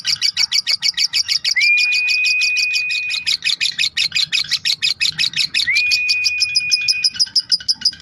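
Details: Lovebird in long-duration chattering song used as a master recording for training songbirds: dense rapid high chatter of buzzy notes repeated about three times a second, with two long steady whistled tones in the middle.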